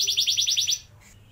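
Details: Young-canary training song, a rolling canary phrase: a rapid, buzzy repeated trill for under a second that stops abruptly, followed by near silence.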